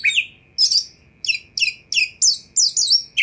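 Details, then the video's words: Oriental magpie-robin (kacer) sounding off to provoke other magpie-robins: a series of harsh, buzzy, high chirps about every third of a second, each with a brief whistled tail, over a quiet hum. "100 % Kacer Anda Pasti Respon Tanpa Nanti-Nanti !!!"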